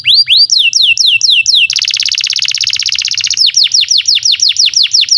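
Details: Long lively canary song used as tutor song for young canaries and for canaries that have stopped singing: a run of downward-swooping whistles, then a dense rapid buzzy trill, then more repeated swoops at about three per second.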